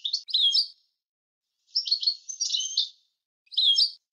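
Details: European goldfinch song recorded as a clean teaching recording for other birds: short high tinkling twittered phrases, a longer liquid jumble in the middle, separated by silent pauses, with no background noise.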